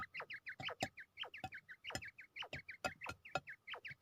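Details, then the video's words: Quail kept for fighting in Pakistan, said to be ready to fight, utters rapid, repeated, bent chirps, roughly two per second, mixed with loud sharp clicks. "Quail is ready for fight"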